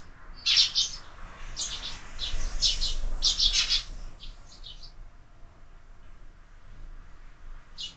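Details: Sparrows at a window feeder on a lively morning, a quick burst of busy overlapping chirps in the first half, then quiet with one last chirp.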